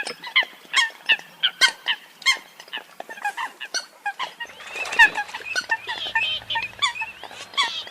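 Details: Eurasian coots give loud, evenly spaced honking notes at first, then many more birds join in a denser, overlapping, squeaky chatter.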